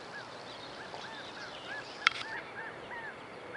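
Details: California quail calling: a steady series of short, arched, downslurred notes repeated roughly three times a second over a soft background hiss, broken by one sharp click midway.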